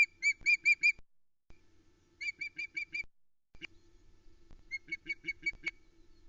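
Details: Female osprey on the Loch Arkaig nest, Scotland, 2 July 2020, fish-calling in indignation after the male departs with a trout: three bursts of four or five quick, high whistled cheeps, urgent and evenly spaced, over a faint steady low hum.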